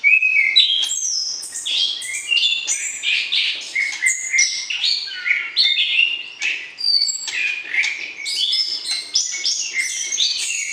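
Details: Shama courtship singing used to bring a partner into breeding condition: an unbroken stream of rapid whistled and trilled phrases, fluctuating in loudness, richest and highest toward the close.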